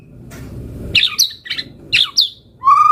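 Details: White-rumped shama singing as a lure and master recording: a few sharp, bright chirped notes in quick succession, then a steady, fuller whistled tone at the end, with faint low rumble underneath.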